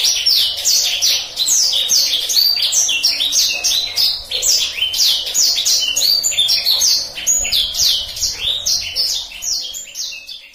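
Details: Black-throated canary song offered as a master song for canaries to learn, said to be rolling and easy to memorise: fast continuous run of high downslurred and rising notes, dense trills and chatter.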